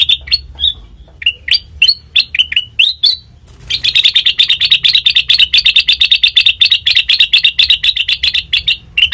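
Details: Sooty-headed bulbul sound used as a lure to draw responses from other birds: spaced, slurred chirps for about three seconds, then a dense, rapid chattering run of sharp repeated notes lasting until the end.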